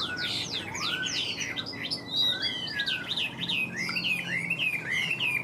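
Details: A newly arrived Chinese hwamei in northern Vietnam, with rain approaching, sings a loud, rich run of varied whistles, with quick rising and falling slurs in an unbroken stream of phrases.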